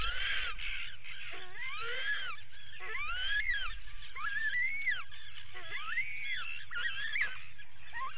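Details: Atlantic puffins at a burrow under attack, 19 July 2019, live cam: a long run of arched, moaning calls that rise and fall, one after another, with a faint low rumble beneath.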